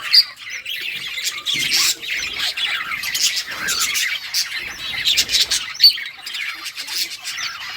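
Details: Colourful budgerigars playing in a group, steady chatter of soft scratchy chirps with occasional sharp high squeaks standing out, a continuous flock murmur.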